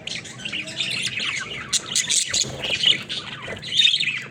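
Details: Flock of pet budgerigars at play inside a cage, overlapping chirps, squeaky warbles and harsh squawks tumbling together without pause, a few brighter whistled notes standing out midway and near the end.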